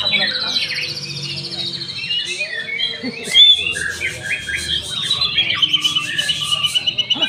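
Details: Young caged white-rumped shama singing a rich, varied song of high whistles and sliding phrases, with dense overlapping chatter and brief sharp notes throughout, steady background hum.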